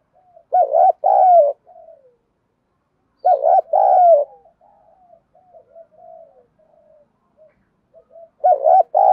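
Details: Spotted dove female used as a lure, calling to males in the one-ending pattern. Loud double coos, a rolled note then a longer sliding one, come three times, separated by quiet trailing murmurs.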